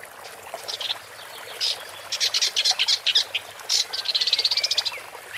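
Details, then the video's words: Woodchat shrike song of bright, high, scratchy notes in quick bursts, building to a rapid chattering series of evenly spaced notes near the end, against a faint background hiss. "Woodchat Strike (Lanius Senator) Bird Song"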